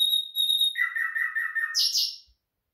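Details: A Common nightingale from Afghanistan sings a phrase: a long, pure high whistle, then a quick run of throbbing lower notes, ending in a harsh rattling flourish.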